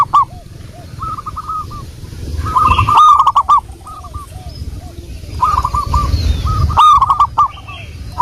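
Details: Several local wild-type zebra doves sing, recorded as a lure. Rapid bubbling coo phrases overlap throughout. Two loud, choppy bursts from a nearby bird stand out near the middle and the end.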